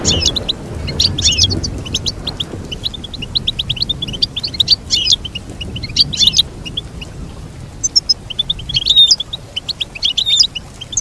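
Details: Goldfinch song: rapid, dense twittering of short chirps and trills, with bright higher notes in bursts throughout and a soft low rumble underneath.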